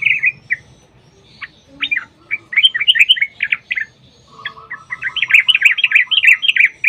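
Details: Sooty-headed bulbul singing a long rapid fighting-style song meant as a lure for other bulbuls: sharp downward-swept notes, then a brief lull and a dense, excited run of bubbly warbles.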